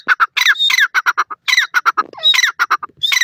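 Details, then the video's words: Breeding pet teetar francolin giving rapid, raspy staccato notes in quick runs, mixed with short high whistled upslurs and squealing phrases, loud and close, nothing else audible. "teetar bird breeding,partridge voice"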